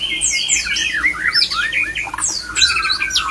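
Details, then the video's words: White-rumped shama male song for luring others into breeding condition: bright downward-sweeping whistles and squeaky notes in a fast, dense sequence. "JAGONYA MENGAJAK MURAI LAIN IKUT BIRAHI AMPUH MEMANCING BIRAHI PASANGAN MURAI"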